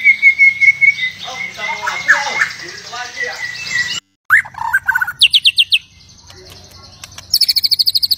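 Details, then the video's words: Aggressive white-rumped shama singing to provoke other shamas: a long steady high whistle under pulsed notes, then after a short break rapid stuttering note trains and a high rattling series at the end. "Murai Batu Ngamuk Rekomended untuk Pancing MB lain ikut Gacor + Fighter"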